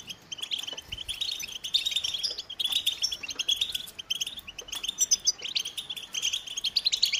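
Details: American goldfinches chattering in fast, high, canary-like twitters with short sharp whistles, bursts swelling and easing in a dense chorus.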